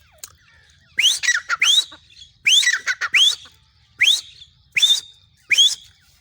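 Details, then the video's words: Female grey francolin calling: clusters of quick, shrill, upward-sweeping squealing notes, two or three per burst, with pauses of about a second between groups. "female tettar ki awaz"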